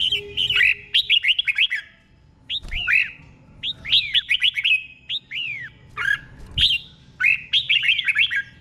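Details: Caged red-whiskered bulbul with slow, clean doubled 'berl' song meant as a teacher recording. Short series of downward-curving whistles repeat in bouts of about four to six notes, with quieter single notes and brief silences between.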